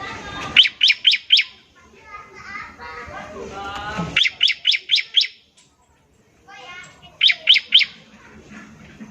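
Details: Trilling ngebren song of a bar-winged prinia, meant to get other prinias singing quickly. Bursts of four, five and three crisp, high repeated notes, separated by a softer low chattering and background noise.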